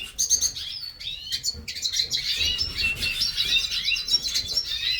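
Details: Captive hooded siskins warming up in a breeding aviary, their high, chattering warble growing denser after a halting start into a continuous run of twittered and trilled notes.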